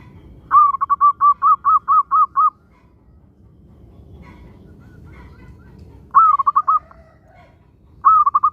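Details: Lively local zebra dove song used to draw other doves into singing: three bouts of rapid, evenly pitched cooing notes, the first about eight notes long, with short quiet gaps between bouts.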